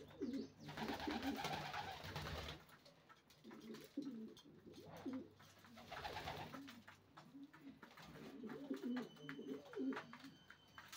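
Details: Racing pigeons cooing: low, soft, rolling coos repeated in several overlapping bursts, with loud rustling and flapping noise between them.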